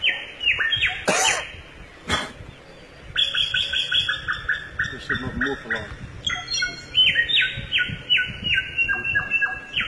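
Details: Samyong singing in the forest: an uneven stream of stepped, descending whistled notes, broken by a few sharp clicks and a short pause, then resuming faster and higher.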